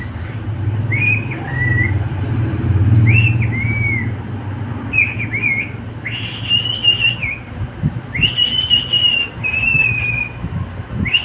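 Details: Pet cockatiel singing a run of short two-part whistles that dip in pitch. Longer, higher held whistles come in pairs in the second half, over a constant low hum.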